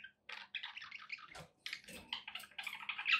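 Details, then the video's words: Budgerigars give a continuous buzzing warble of squeaky chirps and rasps, briefly interrupted by a soft knock near the middle, with a low hum underneath. "budgie sounds to encourage your parrot to eat and sing"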